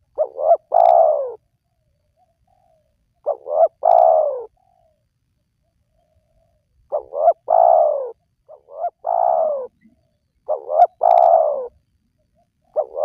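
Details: Spotted dove calls for luring wild doves into song: five phrases over thirteen seconds, each two short rising coos and a drawn-out descending coo, with irregular silent gaps of one to two seconds.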